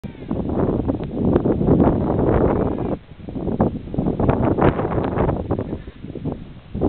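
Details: Emperor penguins preening on the Brunt Ice Shelf, with overlapping bleating, trumpeting calls forming a dense colony chorus that dips briefly midway before surging again.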